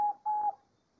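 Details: Diamond dove in nature giving a short, level, mid-pitched coo, then a second, longer coo that fades away into quiet.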